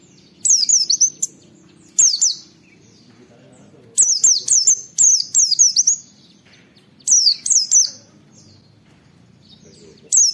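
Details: Oriental white-eye on a 'wit wit' lure recording: repeated clusters of piercing, rapidly falling whistles, groups of two to six notes with short gaps, in a quiet setting.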